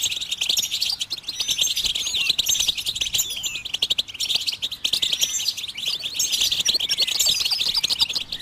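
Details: Goldfinch song played to stimulate other birds to sing: a dense, fast, high twittering of jangling chirps and trills that runs without pause, with sharp clicking ticks scattered through it.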